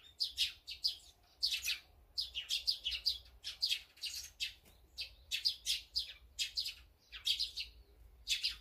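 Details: Birds at a feeding spot, a mix of azure-winged magpie, sparrow, great tit and brown-eared bulbul as listed: dense, high, sharp chirps in quick bursts, several per second with short pauses, one caller over another.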